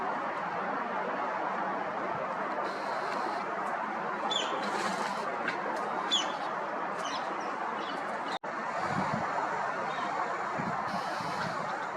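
Steady broad hiss and rumble with a few faint high ticks, broken by a brief dropout near the end, and no clear animal voice.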